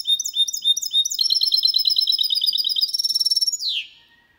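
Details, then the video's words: Goldfinch and canary hybrid singing a clean song without errors, recorded in 2022 and used to stimulate males to sing and teach young birds. Rapid high twittering phrases give way to a fast buzzy trill, ending in a falling sweep. "Mixto de Jilguero Cantando Limpio 2022 para Estimular"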